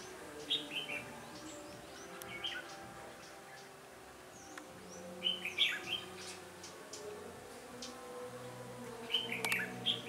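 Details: Red-whiskered bulbul giving combative song while being trapped on 13 January 2017; brief twisting whistled phrases at the start, middle and end, separated by quiet stretches with a low background hum.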